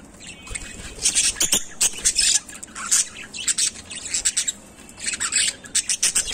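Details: Budgerigars give harsh, scratchy chirps and squawks in quick irregular bursts while enjoying a green mint leaf from their owner's hand.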